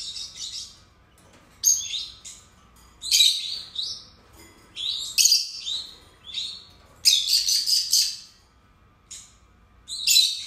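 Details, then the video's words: Caged pair of lovebirds calling in shrill, raspy bursts and rapid clusters of high squeaky chirps, separated by short silences, including one fast stuttering run near the middle. "Canto dos Agapórnis"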